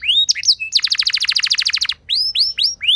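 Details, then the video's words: Canary song meant to trigger singing in other canaries: a few curved whistles, then a fast rattling trill lasting over a second, a brief pause, and slow upswept whistled notes. "Cukup Putar Sebentar Saja Burung Kenari Lain Bakal Langsung Ikut Gacor Ngerol Mewah Dengan Pancingan"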